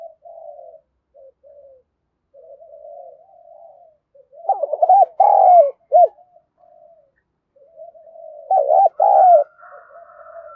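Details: Soft rolling coos from a spotted dove build into bursts of quick, bouncing thúc gù notes and longer gáy coos, calling meant for decoy training.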